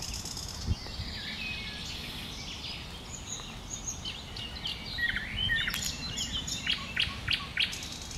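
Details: Common nightingale singing in bushes, heard through background noise: soft high whistles, then a rising series of loud repeated sharp strokes near the end of the phrase.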